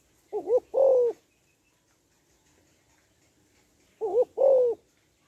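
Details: Spotted dove hen calling to rouse males, two phrases about four seconds apart, each a short doubled coo then a drawn-out mellow coo, in a quiet setting.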